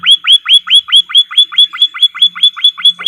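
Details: Training recording of a white-headed munia for cage birds: a loud, regular run of about fourteen upswept chirps, each climbing to a bright high note, evenly paced at a little over two per second.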